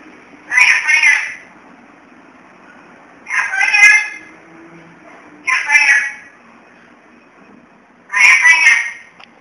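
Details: An angry pet black-capped lory (Lorius lory), upset at not being picked up, gives four harsh, nasal squawks, each under a second long, spaced two to three seconds apart; otherwise quiet.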